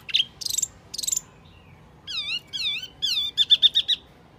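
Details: Calls of the Wambi mini used for luring birds: three short buzzy chirps, a pause, then slurred whistles that dip and rise, ending in a rapid series of high notes.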